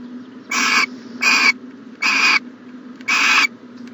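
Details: Four harsh, breathy screeches from an owl at its nest box on a January 2020 morning, each about a third of a second, spaced by short gaps with low hum underneath.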